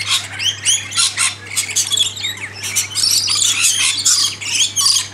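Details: A flock of lorikeets being hand-fed in a backyard keeps up shrill, screeching calls and rapid chattering squawks that overlap with no break, over a steady low hum. A galah comes too, and the birds flush when something scares them.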